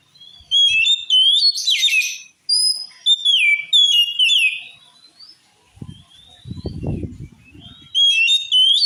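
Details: Oriental magpie-robin pouring out a song reputed to make other magpie-robins furious: sharp whistled phrases, buzzy downslurs and quick repeated chirps, a pause, then low rustling before whistling resumes.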